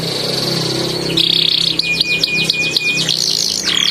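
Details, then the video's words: Canary song in a long rolling style with tightly packed phrases: high metallic trills and a steady whistled tone, followed by quick repeated chirps, partly blurred by a broad background hiss. "KENARI GACOR NGEROLL PANJANG TEMBAKAN RAPAT"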